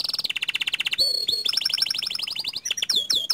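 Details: Panda canary with 'ngerol' and 'nembak panjang' phrasing: a rapid pulsed trill, a brief low note, then a long run of high repeated notes ending in quick sliding whistles.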